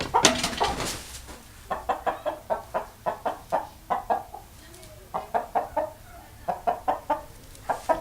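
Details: Hens at a city farm in the Bois de Vincennes, Paris, just let out in the morning, clucking in quick runs of short throaty notes, three or four a second, with pauses; keeper thinks they are noting an unfamiliar person.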